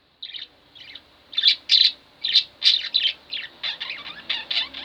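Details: Two pet budgerigars kept at home chirp in a busy run of short, buzzy, high notes, some louder bursts with scratchy warbles, coming several times a second after a brief quiet start.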